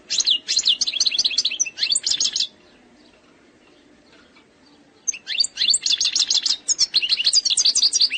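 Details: An Algerian goldfinch delivers eastern sector song, said to have no faults: a long run of rapid, high-pitched twittering, a quiet gap of about two and a half seconds, then another extended lively twittering phrase.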